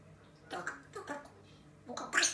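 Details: A pet grey parrot (Psittacus erithacus) chatters to itself indoors in three quick, gurgly bursts of mimicked speech over two seconds, with throaty gargling tones.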